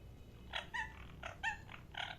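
A parrot gives six short, harsh chirps in quick succession, each a rough, nasal burst with a slight upward twist, about three per second.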